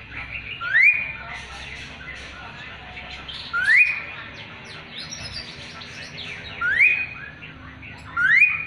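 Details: Rising whistled notes from an Asian pied starling kept as a song tutor for magpie-robins, four upslurs spaced about three seconds apart over soft background twittering.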